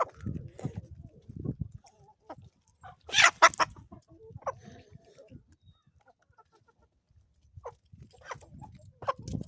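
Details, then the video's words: Morning chickens on a homestead in the Ozarks: soft low clucks at first, then a loud harsh squawk burst near the middle, quieter clucking after, with scattered knocks and rustling. "relaxing sounds and chickens from the homestead"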